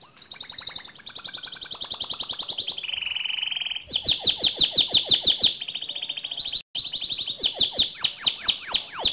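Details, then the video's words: Bright white canary song of several phrases: rapid high trills, a lower buzzy roll, fast repeated chips, and ringing downward-sweeping notes, briefly interrupted once. "Suara Kicau Burung Kenari Putih Bersih Gacor Dor"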